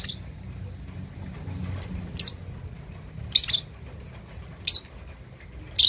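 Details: Sparse, shrill chirps from a 2.5-month-old lovebird trying out its ngekek chatter, four brief high notes with long quiet gaps and a soft low rumble underneath.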